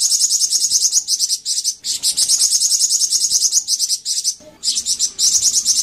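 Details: High, fast buzzy trilling of a Flamboyan bird, played to make other Flamboyan birds answer: long runs of rapid notes, with a short quiet gap before the last stretch.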